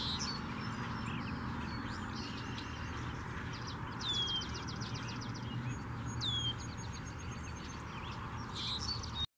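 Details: A male red-winged blackbird sitting on a wire above a small marsh where he and other blackbirds live gives a couple of sharp, high, downslurred whistles and a short buzzy rattle, over a heavy, steady low rumble of wind or distant traffic.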